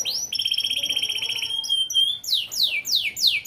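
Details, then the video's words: Yellow AF canary, a lively songbird with fill-in phrases, sings long steady whistled trills with bright overtones. These break into loud, rapidly repeated notes that sweep steeply downward, about two every second. "KENARI AF KUNING ISIAN GACOR"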